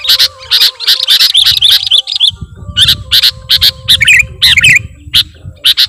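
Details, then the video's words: Lure calls of sooty-headed bulbul used by bird trappers: clustered harsh chirps and squeaky bubbling notes come in quick bursts, with a faint low rumble underneath. "Suara Pikat Burung Kutilang Gacorr"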